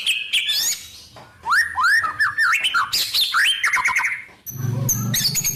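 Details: White-rumped shama in full isian song, mixing varied wild-bird phrases: jumbled whistled upslurs and warbles, a brief pause, then a high rattling chatter over a low hum.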